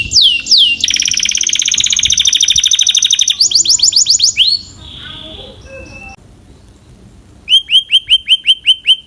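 A canary sings a fast, bright song of rapid rolling trills and repeated whistled notes, with a short pause before a final run of clipped, rising phrases.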